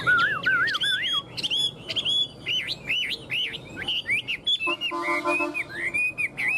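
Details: Captive tame Chinese hwamei delivering loud, melodious whistled song: wavering, looping phrases, some lower and warbled, others high and sweeping, repeated in quick succession with brief gaps and a short squeaky tonal sound midway.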